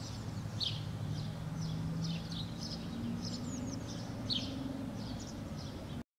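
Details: White wagtail on a cliff face in Helsinki, Finland, June 2013, giving short, sharp, high chirps, some doubled, scattered irregularly across six seconds over a steady low rumble like distant traffic or wind.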